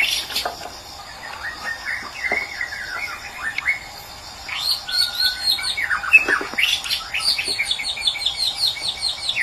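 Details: White-rumped shama from Medan with a quieter opening of soft slurred whistles, then a burst of loud high chattering notes and rapid trills through the second half.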